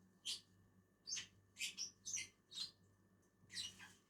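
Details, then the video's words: A pair of Agapornis lovebirds eating on a tree call in piercing, buzzy chirps, about two per second with uneven gaps, a faint hum underneath. "two inseparable Agapornis eating on a tree"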